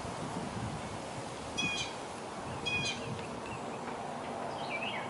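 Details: Red-shouldered hawks, a growing young bird watched by its mother at the nest, in Keller, Texas, in 2021 on a windy day, recorded from over 1000 feet away: two short, high, clear calls about a second apart, then a fainter one, over hiss and rustle.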